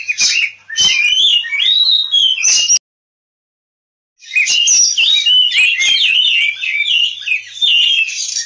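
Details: Oriental magpie-robin fighting song used as a lure for other birds: a burst of varied whistles and chatter, about three seconds of silence, then a longer rapid run of twisting whistled notes.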